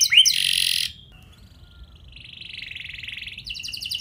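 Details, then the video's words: Canary song used as a lure to get other canaries singing, in a rich 'cengkok mewah' style: a loud buzzy burst with a rising whistle, then a soft, rapid trill that swells and ends in a fast repeated phrase. "Pasti Nyaut Gacor Do00r Dengan Pancingan Kenari Cengkok Mewah Nembak Panjang Ini"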